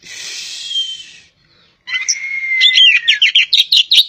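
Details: Javan kacer poci magpie-robin: a hissing noise and a pause, then a long, slightly falling whistle that breaks into quick, sharp, repeated chirps.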